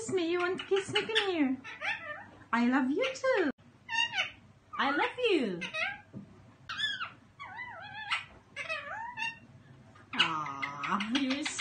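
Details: A 10-month-old male Indian ringneck parakeet, free-flying indoors, talks in quick, high, nasal bursts of speech-like words with short pauses, ending in a longer drawn-out phrase; the room is otherwise quiet.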